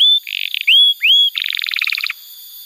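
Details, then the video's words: Canary song played as a tutor for young canaries and as therapy for birds that have stopped singing: upslurred whistles alternating with buzzy bursts, ending in a rapid rattling trill of clipped notes. "Pancingan Suara Kenari Gacor‼️ Ampuh untuk Masteran Kenari Muda dan Terapi Kenari Macet Bunyi"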